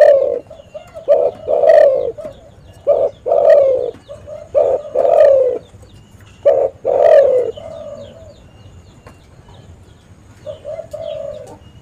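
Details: A spotted dove calls to draw in other doves for trapping. Loud coos are repeated in quick groups of short and long notes for eight seconds, then fade into quieter distant cooing.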